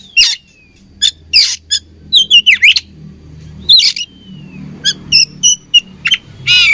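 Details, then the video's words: Oriental magpie-robin, described as fighting, giving a varied song of sharp chirps, down-slurred whistles and rasping bursts in uneven bursts, with a faint low engine-like hum beneath. "Beautiful Chirping Sound Of Fighting Birds"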